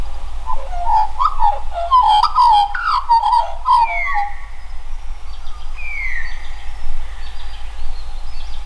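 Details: An Australian magpie carols in rich, fluting warbles for about four seconds, then clear rising whistles follow, likely from an Australian butcherbird singing close by that shares its territory, over a low rumble.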